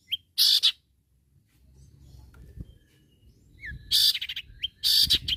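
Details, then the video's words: Long-tailed shrike in full, vigorous voice, calling rivals and prompting other shrikes to sing: two loud, harsh, raspy bursts with short upslurred whistles, one near the start and one near the end, with a quiet gap between. "SUARA BURUNG CENDET GACOR MEMANGGIL LAWAN"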